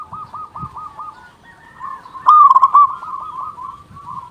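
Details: Local zebra dove call meant to draw wild doves and stir quiet birds to sing. Distant cooing surrounds one loud central phrase of quick stuttered coos, more faint cooing follows.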